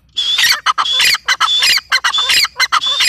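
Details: Female grey francolin (teetar) calling loudly in harsh, squawking bursts repeated rapidly, roughly twice a second, each burst broad and grating with a thin high whistled tone running through the series.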